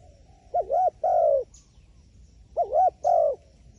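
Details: Two short coo phrases from a wild pigeon wary of a phone camera, each a low wavering note then a longer steady one, separated by about two seconds of quiet with a faint distant chirp.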